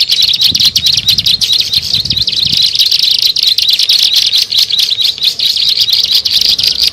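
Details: Recording of bar-winged prinia used to lure birds: dense, high-pitched, buzzy chattering chirps delivered nonstop at a fast, slightly uneven rhythm, with faint low knocks early on.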